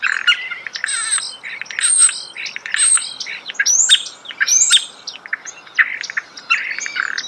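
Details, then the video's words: Starling song recorded close up in nature: a dense, varied stream of high chirps, clicks and short whistled notes, with rapid buzzy bursts and sharp upward sweeps packed together for seven seconds. "The song of the starling"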